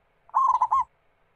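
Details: One rolling, mellow cooing phrase from a local zebra dove (perkutut), about half a second long, with quick pulsing notes. The bird's singing serves as a lure to set other doves singing.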